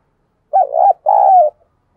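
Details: Decoy spotted dove cooing hard to stir wild birds: a quick wavering first note and a sustained, slightly falling rolling second note, one crisp phrase in silence.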